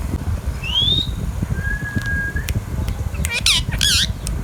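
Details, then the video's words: Baby green Indian ringneck parakeet, a pet bird: a clear rising whistle, then a long level whistle, then harsh raspy squawks near the end, over constant low rumbling background noise. "Indian Ringneck Parrot Talking natural sounds | Bolne Wala Tota | Green Ringneck Parrot Sounds"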